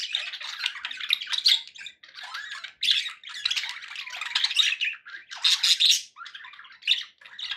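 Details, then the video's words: Pet budgies keep up a rough, twittering chatter of squawks and buzzy warbles, in bursts separated by brief pauses about every two seconds. "1 hour of budgie sounds"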